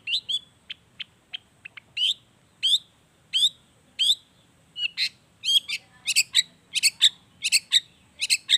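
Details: Long-tailed shrike song as a lure for getting reluctant shrikes to sing: short ticking notes give way to loud, harsh, repeated chattering bursts that grow faster and denser toward the end.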